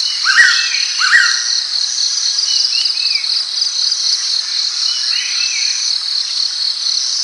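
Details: Blue-winged pitta calling: two quick upslurred whistled notes about a second apart, then a few faint softer slurred whistles, all set against a loud, unbroken high-pitched insect drone.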